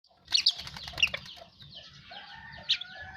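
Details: Asian pied starling singing after bathing: a burst of sharp, high clicking notes mixed with short whistles, then softer chattering and a bright high note near the end.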